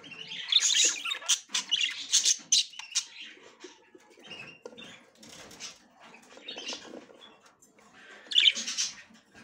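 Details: A female budgerigar tries to enter the nest for the first time, amid budgerigar chatter of rapid, scratchy squawks and twittering bursts. It is loud at first, softer in the middle, then a loud burst near the end.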